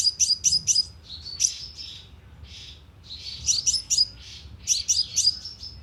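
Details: Sunbird lure recording for a loudspeaker trap: quick groups of three to four piercing high chips, a short trill, then a quieter gap before more clipped chip clusters.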